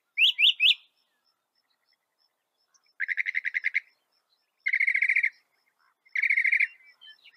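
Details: Northern mockingbird, found in North America, delivering varied phrases: three quick rising notes, then three separate fast rattling trills spaced by pauses.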